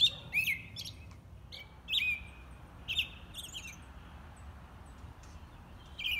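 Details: American robin song of loud, clear whistled phrases rising and falling, spaced irregularly about one to two seconds apart, in a quiet outdoor setting.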